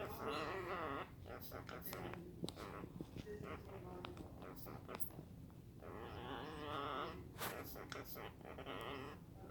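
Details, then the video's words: A pet Hahn's macaw (red-shouldered macaw) gives odd warbling, wavering calls in two bursts, with sharp clicks and indoor room noise between them. "Hahn's Macaw makes weird noises"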